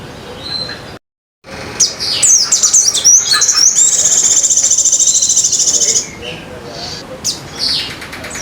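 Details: Sunda minivet (sogon) song filled with mimicked white-eye trilling (isian pleci ngecir), from a competition bird: sharp high whistled notes after a brief gap, then a long, very fast, buzzy high trill of about two seconds, with scattered whistles afterwards.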